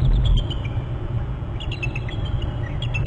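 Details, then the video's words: On Hornby Island, a nest-territory camera catches a bald eagle on March 11 at 10:39 as an eagle flies by and an adult displaces it; scattered high piping chirps, some slurring downward, repeat through the clip against a strong low roar. "Mar 11 1039 calls; eagle fly by to foster's; displaced by adult eagle"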